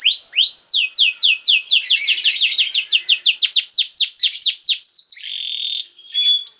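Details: Canary song used to get young canaries singing: a run of downslurred whistled notes at about four per second with a buzzy overlay, ending in level whistles.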